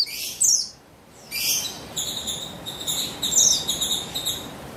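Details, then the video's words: Female buxtoni Javan white-eye, calling to lure males into singing. After a few bright downslurred chirps comes a rapid, steady series of short, buzzy, high notes, evenly repeated. "Buxtoni Betina Memancing Bunyi Burung Pleci"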